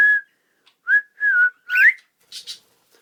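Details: A few bright whistled phrases from a cockatiel learning the song "Kotori no Uta": a held note, a slurred rising-falling one, then a swooping upward whistle and faint chirps.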